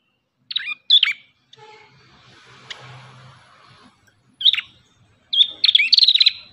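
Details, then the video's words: Ashy tailorbird (prenjak kepala merah) gives a few sharp high chirps and downslurred notes, then a quiet stretch with a faint low hum, then buzzy trilled phrases of rapidly repeated high notes. "MASTERAN BURUNG PRENJAK KEPALA MERAH"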